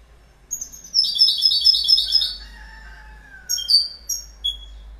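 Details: Goldfinch twittering: a quick, high, silvery run of chattering notes, followed by a lower drawn-out descending note and then a few scattered sharp chirps.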